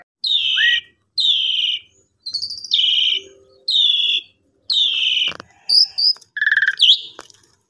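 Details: Caged Asian pied starling, recorded as a lure for singing after Lebaran homecoming, gives a varied series of buzzy rasping phrases and a rising whistle, then sharp high squeaks and clicks, with a few clattering knocks.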